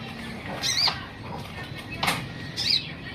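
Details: Olive-backed sunbird giving two thin, high, arched chirps about two seconds apart, with a sharp click between them over a low steady hum.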